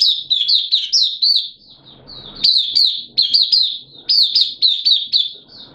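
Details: Hobby-kept caged oriental white-eye singing in an opening session, 8 September 2022, when its form had dipped a little: lively, high twittering phrases of quick up-slurred chirps, two long runs separated by a short gap with soft background noise.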